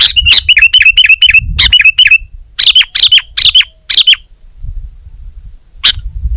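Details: Kutilang, known in English as Sooty-headed bulbul, singing gacor in Indonesia: a fast rattling string of bright, ringing chirps, then paired notes with warbles, falling quiet before a final chirp, with low rumble behind.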